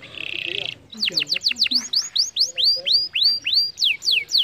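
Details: Canary singing, played to encourage lazy canaries to sing: a short buzzy trill, then a rapid series of falling whistles giving way to slower, evenly spaced rising and falling whistled notes.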